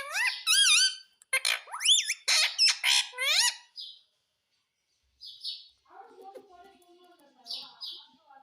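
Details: Indian ringneck parakeet, a talking bird, repeating "mummy mummy" in a rapid burst of raspy, bending syllables over about four seconds, then quiet with faint squeaks and a low murmur.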